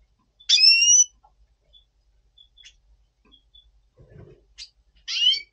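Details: Caged double pastel red siskin in breeding mood, November 2023: a loud ringing two-toned call note, near silence with faint ticks, then a second harsh buzzy call at the end.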